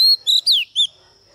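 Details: Female Oriental magpie-robin used as a lure to provoke males, singing three loud, clear whistled phrases: a level high whistle, a short warbled note, then a long downward-slurring whistle, with a steady faint high hum behind.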